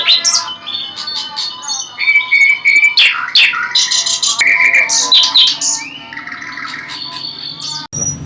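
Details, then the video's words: A nightingale's rich, continuous song of sharp chips, sustained whistles and rapid repeated notes, shifting abruptly between high and middle pitches, ending with a sudden loud click. "nightengale birds sounds طاٸر العندلیب"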